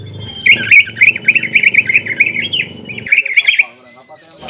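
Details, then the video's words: Greater green leafbird singing a lure song full of borrowed phrases to provoke a rival; a rapid chattering run of scratchy high notes for about three seconds, then a short pause and a thin whistle. "PANCINGAN CUCAK IJO GACOR FULL BONGKAR ISIAN BIKIN EMOSI CUCAK IJO LAWAN"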